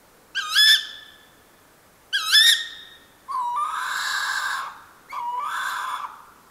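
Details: Tawny owl that flew in and perched in forest at Morysin nature reserve, Warsaw, on an evening of 24 February 2024, warm, windless, full moon: two short squeaky wavering notes, then two long harsh hissing screeches.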